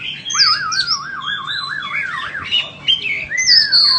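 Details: White-rumped shama for sale delivers a clear warbling whistle that wobbles up and down about eight times, followed by short high notes and a long sliding whistle falling away at the end.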